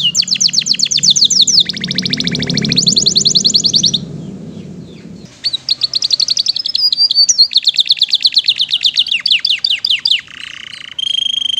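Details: Canary in lavish 'isian mewah' masteran song: alternating rapid high trills and buzzy rolls with a soft low murmur beneath, a short pause, then a long even chattering trill and closing whistled tone.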